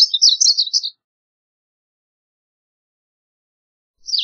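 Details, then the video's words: Varied bunting song opens with an energetic, warbled phrase of high chirps under a second long, followed by silence and the start of another phrase. "Varied Bunting Song! Varied Bunting Call, Sound, Chirp - Colorín Oscuro Canto - Passerina Versicolor"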